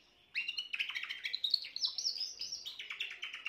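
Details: Young Spanish Timbrado canary hatched this year, recorded 14 June 2023, singing a continuous run of metallic, rolling trills and rapid twitters that shift between higher and lower pitches without a break.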